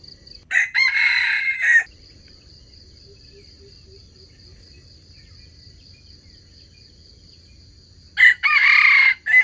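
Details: Red junglefowl used as a lure for trapping wild chickens, crowing twice about seven seconds apart. Each crow is loud, harsh and drawn out. A thin, constant insect tone and faint soft ticking fill the quiet gap.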